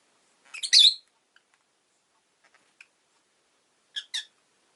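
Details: Shrill grating chirp from a pet rosy-faced lovebird, followed by scattered faint ticks and a quieter double chirp near the end.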